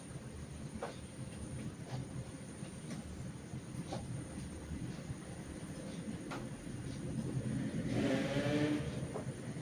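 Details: Rumbling rail traffic with steady low clatter and faint clicks, swelling into a louder hiss near the end; no animal voice is heard.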